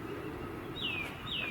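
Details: A bird tentatively identified as a Northern Cardinal sings two clear whistled notes that slur downward, about half a second apart, over a steady background hiss during a walk around Sapsucker Woods.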